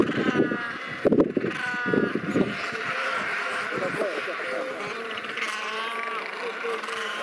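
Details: Royal penguins recorded on sub-Antarctic Macquarie Island: harsh, braying calls with stacked harmonics overlap through the clip. Heavy low rumbling and thumping bursts, likely wind or handling, dominate the first two and a half seconds.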